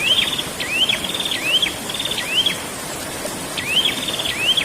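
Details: Prinia delivering rapid ngerol song: upswept whistles each flowing into a dry buzzy trill, in an almost continuous chain with a short gap, over steady high hiss.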